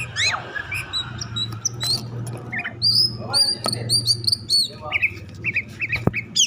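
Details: Oriental magpie-robin in an agitated, over-excited state, singing to provoke other magpie-robins into song: short whistled notes and upslurred chirps at varied pitches, repeated in clusters, over a steady low hum.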